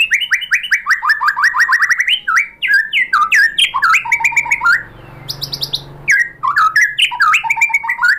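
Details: White-rumped shama song for bird training: quick repeated downslurred whistles in a rising cascade, varied loud phrases, a short pause with high thin notes, then another burst of slurred whistles.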